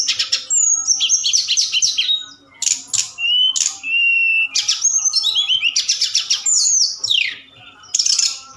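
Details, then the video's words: Forktail singing at night as a lure for other birds to respond: bursts of high chatter separated by short gaps, with a few lower drawn-out whistles and tumbling slurred notes. "Tledekan Gunung Gacor Malam || Suara Pancingan"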